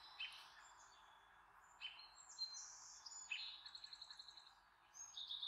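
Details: Bald eagle mother near her Redmond nest, calling up to a juvenile from the previous season flying high above; sharp high chirps spaced a second or two apart, then a quick run of rapid piping notes.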